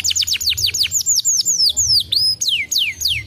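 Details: Canary song for stimulating other canaries: rapid descending whistled notes slowing into longer sweeping slurs, then a few spaced drawn-out falling whistles, over a soft steady low hum.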